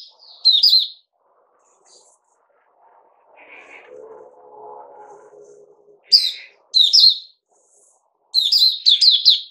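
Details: Caged bulbul giving short bursts of sharp, chirpy notes separated by pauses, with a low murmuring background noise in the gap and a final quick run of rapid chirps.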